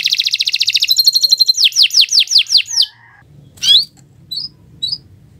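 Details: Canary singing a training song: a fast even trill of high notes, then a row of down-slurred sweeping whistles, a short pause, and a few scattered clear chirps.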